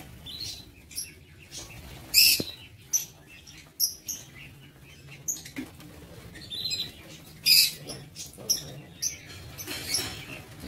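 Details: Irregular high, piercing chirps and squeaks from lovebirds in a breeding aviary, spread across the recording with quiet gaps and low hum.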